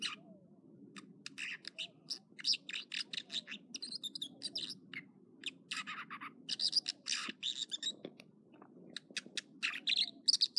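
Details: Morning song of an American dipper at Echo Lake, Trinity Alps, California. A long string of sharp, high chips and buzzy trills repeats steadily over a constant rushing of water.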